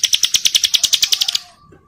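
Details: Breeding-condition female Bar-winged prinia calling other females, which reply: a loud, very rapid burst of bright ringing chips, about eight per second, running for over a second before stopping abruptly.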